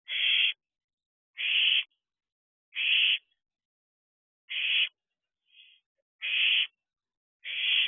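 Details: At a nest box at 1:44 am, 21 June 2023, owlets repeat loud, rasping screeches roughly every one and a half seconds, each about half a second long, with one faint short hiss between.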